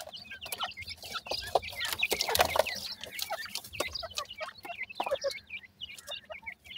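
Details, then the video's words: Young partridge chicks cheep rapidly and constantly, many thin high notes overlapping, with a louder rustling flurry around the second to third second. "partridge bird chickss"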